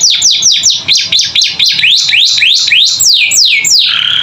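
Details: Chattering canary song meant to train captive birds: clear down-sweeping whistles repeated about four times a second, shifting midway to upward-curving notes before a lower closing phrase.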